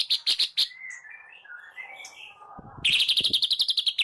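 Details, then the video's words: Morning singing of a white-rumped shama used as a lure to get shamas singing: quick high ticking notes, a softer warbled stretch, then a fast rapid-fire run of sharp repeated notes. "PANCINGAN MURAI PAGI HARI GACOR FULL KRETEK AUTO RESPON"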